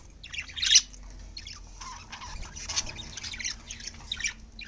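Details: Pet budgerigars in winter, before their bedtime meal, chatter with rapid, scratchy squawks and high chirps in a busy, overlapping stream.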